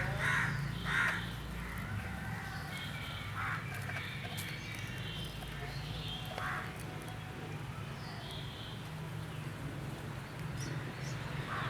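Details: An Indian myna gives harsh, scratchy calls at irregular intervals several seconds apart, over a steady low rumble of background noise.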